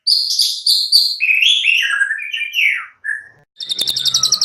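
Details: White-rumped shama delivering high whistled notes followed by a tumbling, descending run of slurred phrases, a brief pause, then a dry, rapid rattling trill.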